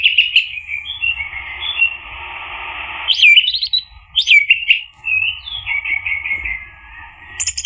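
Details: Orange-headed thrush, known locally as anis merah, played to provoke a male into singing: varied whistled and warbled phrases with sharp upslurred notes, broken by a steady hiss of background noise.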